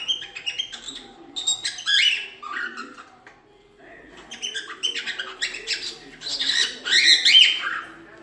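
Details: Cockatiel song meant for training chicks to sing: busy chattering of short chirps, squeaks and warbled notes in two bursts separated by a brief lull, with a low murmur underneath.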